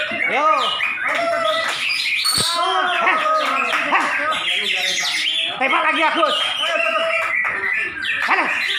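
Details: Greater green leafbirds (Chloropsis sonnerati) at a songbird contest in Malinau, North Kalimantan, pour out dense, varied song of arched whistles, chattering trills and harsh squawks, several birds overlapping throughout, with faint human voices underneath.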